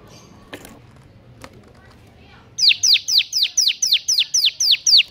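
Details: Bar-winged prinia (ciblek) in 'ngebern gacor' song for training quiet birds: after faint background noise, a sudden burst of around eleven loud, high downward-sweeping notes repeated at an even quick pace.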